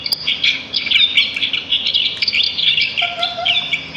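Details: Sparrows singing in nature, a busy chorus of high chirps and trills. Lower, longer whistled notes join in the final second.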